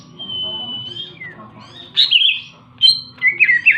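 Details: Greater green leafbird giving a long, steady high whistle followed by a few quick twittering phrases, over a low background rumble.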